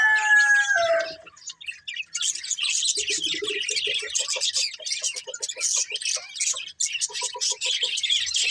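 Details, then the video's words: Pet budgerigars, several birds, chirping happily: after a brief lower call, a dense, continuous high chattering warble runs throughout, scratchy and rapid, over soft repeated low clicking notes. "Cute Budgies Chirping Sounds"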